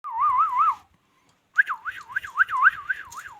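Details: Indian ringneck parakeet making clear warbling whistles that wobble rapidly up and down, a short burst, a pause, then a longer run of quick wavering notes.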